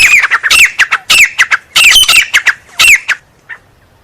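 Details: Grey francolin uttering a dense sequence of shrill, harsh, bouncing notes for about three seconds, ending with one faint note.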